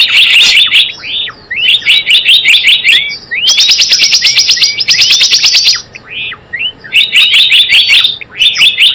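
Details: Lure call of a Java sparrow used in trapping: repeated bursts of high twittering chirps with rapid clicking trills in the middle and scattered upslurred whistles.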